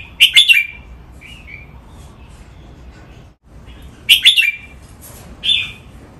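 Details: Red-whiskered bulbul kept as a cage bird, recorded for song training in Thai 'rong len' playful style: two loud, sharp chattering bursts about four seconds apart, each followed by brief sweet whistles, quiet between.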